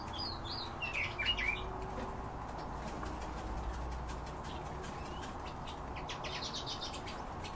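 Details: European bee-eater calls: a brief burst of clear, liquid, trilled chirps near the start, then fainter scattered notes over constant background hiss and low-frequency hum.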